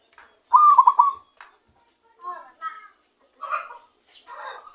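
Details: Zebra dove caught by luring, starting to use its natural voice: one crisp burst of rapid rolling coos, followed by human speech.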